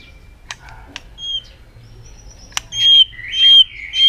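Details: White-rumped shama displaying with tail flicks to provoke other birds: a few faint notes and clicks, then loud sustained clear whistles that rise and swell, repeated about three times near the end.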